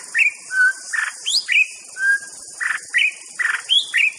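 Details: White-rumped shama delivering loud, varied song: sweet whistles alternating with short buzzy notes and upward-sweeping phrases, roughly two per second, over a constant high insect hum.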